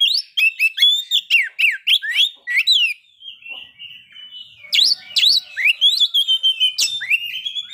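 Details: White-rumped shama song used to stir breeding condition and aggression: a rapid run of loud whistled notes sliding downward, each with a sharp high click, a softer warbled pause, then more swooping whistles rising and falling.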